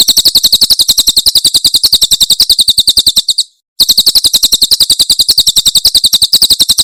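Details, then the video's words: Javan prinia 'tembakan' song from Cililin, used for tutoring songbirds: a dense stream of shrill, high chips in fast succession. A brief break comes midway before the same rapid rattle continues. "Masteran Tembakan Cililin SUARA SUPER JERNIH"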